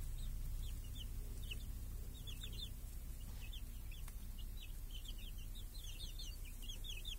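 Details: Village hens with chicks grazing beneath a protective cage on a clear summer day while the chicks hunt flies. Many quick high chevron-shaped peeps pour out in dense, irregular bursts over a low background hum, with a brief click.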